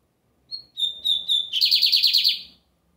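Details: Lined seedeater, known as bigodinho americano, singing a lot on a Sunday: a short high note, then three clear whistled notes, breaking into a fast buzzy rattling trill of about ten pulses before stopping.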